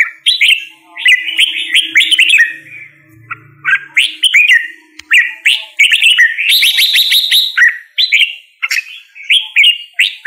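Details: Red-whiskered bulbul singing: a run of short, slurred whistled phrases, rising and falling, separated by brief pauses, with bursts of higher chattering notes near the end and a faint low hum in the background.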